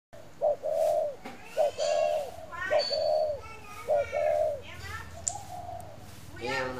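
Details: Spotted dove from a northern Vietnam bird garden giving low cooing calls in short groups of a brief note and a longer warbled coo, repeating four times, with children's voices and speech behind.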